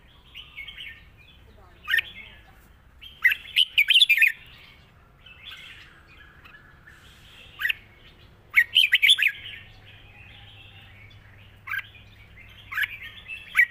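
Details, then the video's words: Red-whiskered bulbul singing in the Thai 'wild song' style with long phrases and a light delivery: bright warbled phrases with sharp chirps, bursts coming every few seconds between quiet gaps, with a low hum underneath. "เพลงป่าๆ สำนวนยาวปากเบา ฟังเพลิน"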